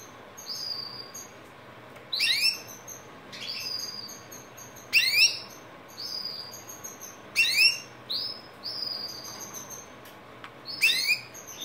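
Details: Scotch Fancy canary singing in short separate phrases, each a bright, rapid, high trill or sweeping whistle lasting about half a second, spaced roughly every one to two seconds with quiet gaps between.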